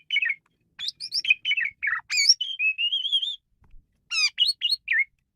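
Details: Lure-training song of a male Asian pied starling: busy varied phrase of chatters, slurred whistles and a long steady rising whistle, then a stack of quick sharp notes.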